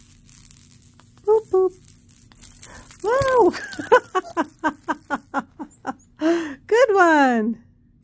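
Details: Female Congo African grey parrot, 36 years old, kept indoors, talking during playtime: short speech-like syllables, a burst of rapid clicks, then a rising-and-falling whistled phrase with a woman's voice nearby.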